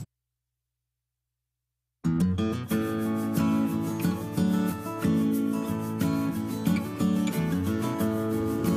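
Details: Two seconds of silence, then strummed acoustic guitar music with no animal sounds.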